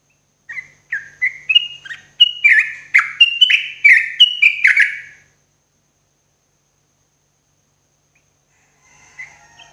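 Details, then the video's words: Sooty-headed bulbul in morning song, played as therapy for cage birds: a lively run of about a dozen bubbly, slurred whistled notes over four seconds, stepping up then tumbling, followed by silence and faint distant chirps. "TRUCUK GACORRR !!! TERAPI TRUCUKAN PAGI HARI"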